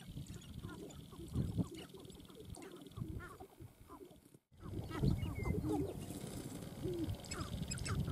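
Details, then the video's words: Several sharp-tailed grouse calling at their dancing ground, with quick clucks and brief cackles overlapping against a low rumble. A short silent gap falls midway, and louder, denser calling follows. "Sharp-tailed Grouse Dancing Ground"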